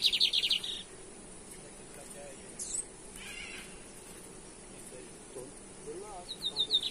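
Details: Lined seedeater (bigodinho) from Brazil, recorded in 2023 in a comparison of the caça rato and torneado song styles: a buzzy, rapid pulsed trill opens the recording, then quiet hiss, a few faint chips, and another short trill at the end.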